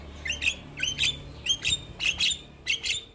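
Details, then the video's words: Young Javan myna used to teach and prompt other mynas gives paired scratchy, buzzy notes with whistled edges, the pairs spaced about half a second apart. "Jalak Kebo Muda Gacor Untuk Masteran Dan Pancingan Semua Jenis Burung Jalak"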